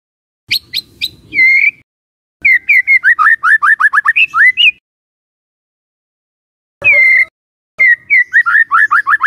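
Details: Lure recording of white-rumped shama song meant to draw rival shamas: short sharp high notes, a sustained whistle, then quick runs of falling whistled notes separated by silent gaps.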